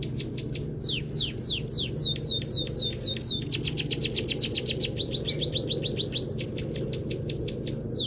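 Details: Master recording of a munia for teaching songbirds, full of canary-type phrases: varied high, falling chirps grouped into fast trills that speed up and slow down, steady low hum underneath.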